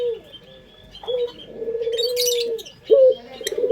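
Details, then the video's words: Indonesian local puter dove singing the sought-after long 'pelung' coo, used as a lure; a quiet start, then one long even coo held almost two seconds, then a short loud rising note, with a brief burst of high chirping. "Pancingan Suara Burung Puter pelung paling dicari bersuara merdu"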